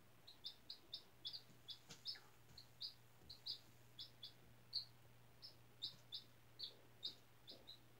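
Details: Four-day-old chick hatched on April 17 from an incubator egg raised by a school class, kept indoors on fresh bedding, giving a steady stream of short, high, clipped peeps about every half second, over a low constant electrical hum.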